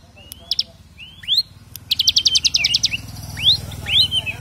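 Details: Bar-winged prinia (ciblek) song with rattling 'brem' trill, recorded for training other birds: scattered rising whistles and chips, a one-second buzzy rattle in the middle, steady low hum throughout.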